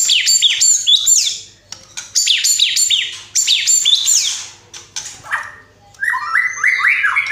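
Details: White-rumped shama in vigorous song, with a lavish fill-in repertoire and 'tembakan' bursts: quick runs of bright downward-slurred whistles in repeated groups, brief pauses, then a lower series of chirpy, rising notes.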